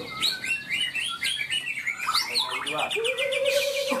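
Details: Greater green leafbird (cucak ijo) in the main class of a practice songbird competition at latber Ronggolawe, Malinau, North Kalimantan; this bird won best. Rapid varied whistled and chattering phrases, then a long steady whistle near the end, with applause.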